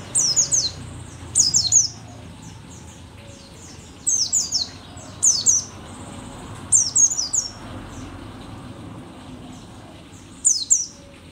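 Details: Old mountain white-eye from Merapi, described as a rare endemic bird and still in strong voice, delivers six short clusters of thin, high twittering chirps separated by pauses of one to three seconds.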